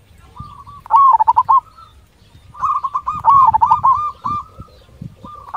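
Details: Zebra dove, local bird, in a lure song meant to get fast responses. Two loud phrases of drawn coos tumbling into rapid bubbling notes, the second longer and trailing off. Crackling noise in the background.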